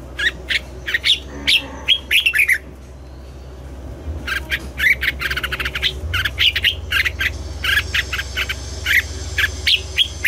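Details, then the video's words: Morning singing of red-whiskered bulbuls in voice training for double-note, old wild-bird style song: dense, overlapping chirpy warbled phrases, almost continuous, over a constant low hum. "Luyện giọng cho chào mào hót sáng, ép chào mào hót âm kép già rừng hay tuyệt!"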